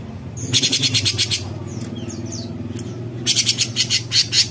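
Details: Bulbul (cucak cungkok) in full 'besetan' delivery: a loud burst of quick rasping pulses, a pause with soft scattered notes, then a second rapid harsh series; steady low rumble underneath.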